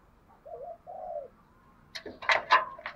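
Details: Decoy spotted dove in the "giọng thổ" voice style, cooing to lure wild doves: two soft, low, slightly wavering coos, followed by loud sharp knocking and clattering sounds.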